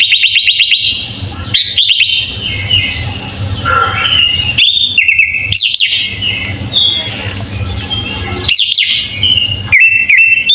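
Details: Sooty-headed bulbul singing a full fill-in song for training other birds: a chattering opening, then varied whistled phrases, some rising and some dropping, over steady low background noise, ending with short repeated upslurs.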